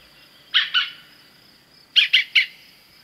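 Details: A European green woodpecker in France gives harsh, loud 'kyuk' notes, a pair then a quick triplet, over a thin, steady high hiss.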